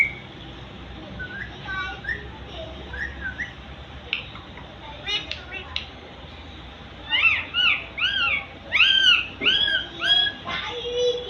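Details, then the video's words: Parrot calling "Mithu": scattered soft chirps and a few clicks at first, then a loud run of arched, harmonic, voice-like squawks repeated about twice a second in the final four seconds. "Parrot calling Mithu Mithu"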